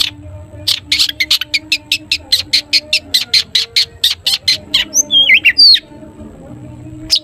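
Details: Long-tailed shrike, a singing cendet used to set other shrikes singing: a long rapid run of short sharp chips, roughly three per second, ending in a twisting whistled phrase.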